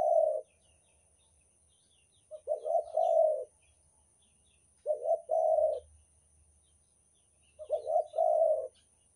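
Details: Spotted dove (derkuku, Banten) calling as a lure for catching birds: three clear phrases spaced about two and a half seconds apart, each a stuttered double note then a long, vibrating low coo; quiet background.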